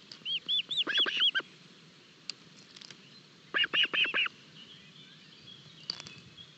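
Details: Early-morning feeding of Osprey chicks at a Barlinek forest nest, 25 June 2022, on a nest camera: two loud bursts of five or six arched, piping whistles, then a few faint single notes.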